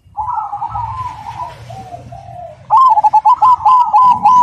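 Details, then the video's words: Kept Cemani zebra dove delivers a rolling trilled coo that fades into softer notes, then breaks into a loud, clear series of quick clipped notes repeated about four times a second. "Perkutut Cemani Gacor Suara Berirama Besar Lantang dan Jernih"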